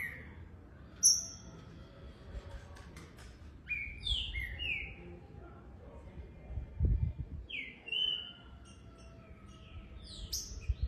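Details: Young green-winged saltator, not yet joining its song phrases together: short clear whistled notes sliding downward, given in two brief groups separated by quiet pauses, over low background rumble and faint chirps.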